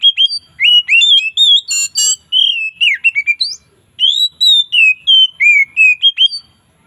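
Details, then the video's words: Oriental magpie-robin in loud, relaxed ngeplong song during the afternoon, varied phrasing: rapid piercing whistles sliding up and down, a rasping buzzy burst early on, then a slower string of rich fluting notes after a brief pause. "SUARA KACER NGEPLONG SANTAI|VARIASI DI SORE HARI"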